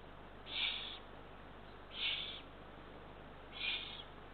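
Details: Eurasian eagle-owl nest with three ringed chicks, two small rodents delivered around 00:31–00:52 on 23 June 2023. Three evenly spaced, rasping hisses, roughly every one and a half seconds, over a steady background hum.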